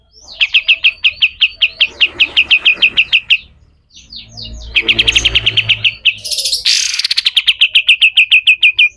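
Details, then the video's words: Long rapid chattering trills from a pied triller singing rough 'besetan kasar' song as a tutor for other birds, with a short pause and a harsh buzzy burst midway. "SUARA KASAR‼️katem gacor dor, masteran burung"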